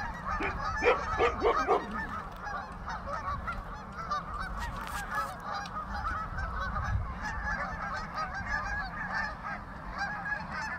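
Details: Thousands of geese gathered on a pond, honking constantly; a few louder, clearer honks stand out early, then a thick, unbroken wall of overlapping calls continues.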